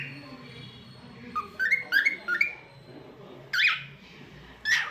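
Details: Pet cockatiel singing a run of short rising whistles in quick succession, followed by two louder, rougher calls spaced about a second apart, indoors with faint background hum.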